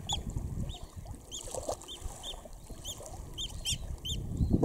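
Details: Eurasian oystercatcher chicks close up at RSPB Snettisham, Norfolk, UK, on 19 July 2016 at 6:38 pm, giving thin, high, arched peeps about two a second, sometimes in quick doubles, over low wind rumble and a faint hum.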